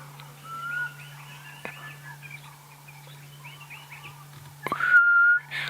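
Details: A black cuckoo calling from a riverbed in the African bush at sunset on 28 November gives plaintive, drawn-out whistles, one early and a longer, slightly rising one near the end, while other birds chatter softly over a steady engine hum.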